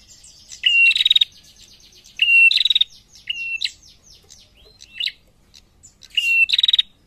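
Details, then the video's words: Female prinia calling, with males answering: four phrases, each a level high whistle snapping into a fast rattling trill of clicks, spaced roughly one to two seconds apart, with faint softer chirps between. "SUARA PRENJAK BETINA GACOR SAUT JANTAN"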